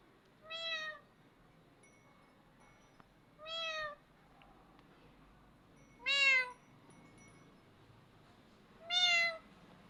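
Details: Parrot imitating sounds and calling the cat: four drawn-out, meow-like calls with a rising then falling tone, spaced about three seconds apart, against a quiet indoor background.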